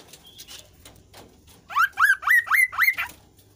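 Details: Kasu kasu bird in vigorous song, meant to prompt reluctant birds of its kind to sing: after faint soft notes, a loud series of five sharp rising whistled phrases delivered about four per second.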